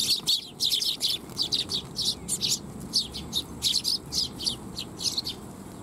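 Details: Eurasian tree sparrows arriving at a shrine to be fed, July 12, 2021; loud, sharp chirps repeated about twice a second in a steady series, several birds overlapping, over faint low background noise.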